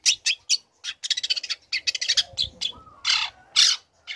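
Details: Energetic song of a young long-tailed shrike, meant to provoke other shrikes to call back. Rapid scratchy chattering notes run in dense runs, with broader squawk-like bursts near the end.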